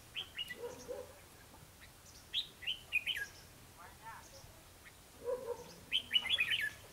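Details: Red-whiskered bulbuls sing in a trapping contest with a lure bird on 21 December 2015: lively, jerky whistled phrases in repeated bursts, mixed with lower mellow calls and faint chatter.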